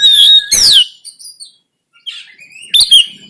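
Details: Oriental magpie-robin (kacer) fighting-style konslet tarung song, recorded on an Android phone in Banten and used to train birds, with loud whistled notes sweeping downward, then a pause and rising whistles; short rasping burst early on.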